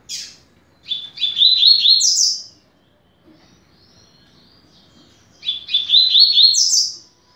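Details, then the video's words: Song of a double-collared seedeater played to teach young birds, 'rápido de bico' style: two matching phrases of rapid buzzy notes rising to a high ringing flourish, about three seconds apart, with faint hum between. "Canto para Ensinar Passarinho - Coleiro"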